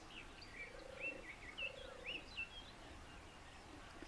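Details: European turtle dove, a seriously endangered species, in Lower Silesia, Poland, where 5 nests and 14 birds occupy 4 square kilometres. Two low, rolling purrs, each about half a second long, a second apart, under brighter chirping from other birds.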